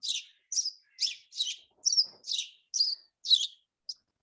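House sparrow giving a series of nine chirps, about two per second, each a bright, slightly buzzy cheep, with a faint murmur of voices.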